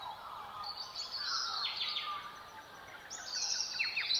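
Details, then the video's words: Dawn birdsong of the Southwest with silvereyes giving high, rapid warbling bursts and sharp downslurred notes, while other birds whistle and carol more softly beneath. "Silvereyes and Dawn Birdsong of the Southwest"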